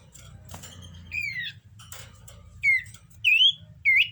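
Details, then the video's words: Common iora in breeding condition gives a few sharp, upward-curving whistles over a soft background hiss. "Burung cipo birahi"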